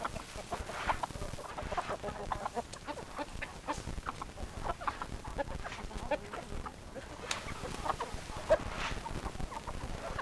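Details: Chickens, hens clucking: a dense, continuous stream of short, clipped clucks from several birds overlapping, with steady low rumbling background noise throughout.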